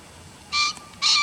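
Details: A green pheasant gives two short, grating calls, each a loud burst rich in overtones, the second cut off at the end, with a faint hush behind.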